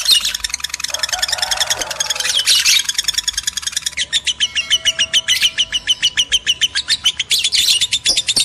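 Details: Mating-stimulation sound of male and female lovebirds; a rapid, steady train of shrill chirps, roughly three to four per second, with brief louder squawk bursts.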